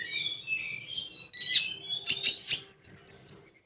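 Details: Common iora in 'tembakan' song: wavering whistles give way to paired sharp high notes, harsh buzzy bursts, then a row of four quick bright pips near the end.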